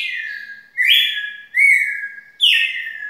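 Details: Long song of a red-cowled cardinal, slow clear whistled phrases: each starts with a sharp high downward slur and then holds a steady whistle, repeated roughly every 0.8 seconds with no other sounds.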